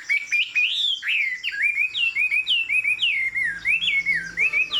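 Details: A tame hwamei with a fig-leaf tail sings high-perch song, a lively series of rising whistled swoops repeated about three times a second, each note curling upward before the next.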